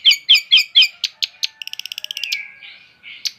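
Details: Long-tailed shrike singing four loud rasping notes, a few sharper clicks, then a fast dry trill of ticking notes that slides into a soft buzzy tail and a final harsh note.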